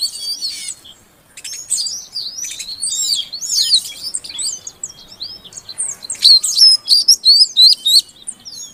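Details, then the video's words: Calls of a female Oriental magpie-robin meant to stimulate a non-singing male; quick high twittering and whistled sweeps, a short pause near the start, then a run of loud, clipped notes in the final seconds. "Suara Kacer Betina Untuk Pancingan Kacer Jantan Yang Macet Bunyi Agar Gacor"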